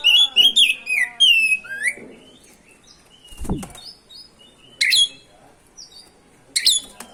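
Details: Oriental magpie-robin in energetic rolling song, used as a lure to provoke other magpie-robins to sing: bright whistled and slurred high phrases in bursts, with a dull low thud midway and quieter gaps between phrases.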